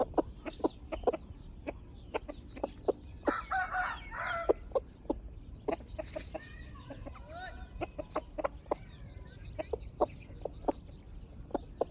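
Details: Backyard chickens clucking: many short sharp clucks repeated irregularly through the recording, with a brief burst of louder squawking calls midway and a steady low background hum.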